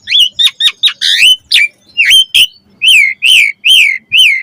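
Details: Caged-bird training song of the Asian pied starling: a string of short whistled notes, then a series of rising-falling slurred whistles repeated about once a second, with harsh overtones.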